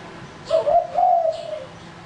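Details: Male spotted dove used as a lure bird, giving one two-part cooing phrase: a short low coo followed by a longer, smoothly drawn-out coo, over a quiet background.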